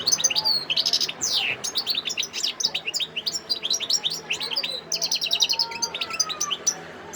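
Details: European goldfinch, known locally as maqnin khlawi (wild goldfinch), singing in Sidi Bel Abbes, Algeria, on 17 December 2021: a rapid, continuous tinkling twitter of high bright notes, quick trills and short slurred buzzy phrases with brief pauses.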